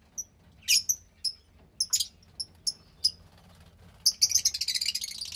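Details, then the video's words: Fischer's lovebird chick about 15 days old, offspring of a lutino and pastel blue pair: thin clear high chirps spaced about half a second apart, then rapid stuttering chatter. "Lovebird Chick From Lutino & Pastel Blue Fischer"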